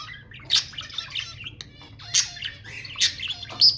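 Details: Budgerigars chattering to stimulate mating, loud harsh squawks about every second over softer buzzy warbling notes.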